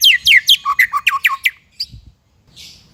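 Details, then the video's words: White-rumped shama in a training recording for young and non-singing birds: eight quick, sharply falling whistles that settle lower partway through, followed by a few soft notes and a faint hiss. "MASTERAN MURAI BAHAN DAN MURAI MANDEK ( shama bird singing )"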